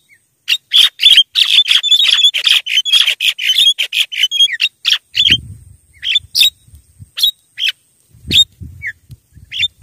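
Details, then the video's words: Javan myna calling as a lure for wild birds: a dense run of rapid, rasping chattering notes for the first five seconds, then sparser scratchy squawks with brief gaps and a low rumble underneath. "suara JALAK KEBO PIKAT MP3 gacor... suara ampuh untuk pikat mp3 memanggil jalak liar"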